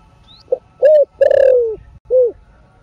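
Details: Spotted dove cooing in the field-style 'thổ sấm' voice: a short soft note, a longer hollow coo, a drawn-out falling rolled coo, and a final rounded note, all low and mellow. It is a lure recording for stimulating other doves.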